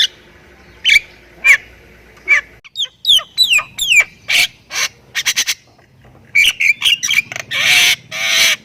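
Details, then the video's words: Javan myna from Thailand singing gacor full isian: scattered harsh chips, a cluster of clicking notes and falling whistled slides, then loud rasping bursts ending in a broad hiss-like squawk. "MERINDING DENGAR OCEHAN BURUNG JALAK INI || Jalak Kebo Thailand Gacor Full Isian"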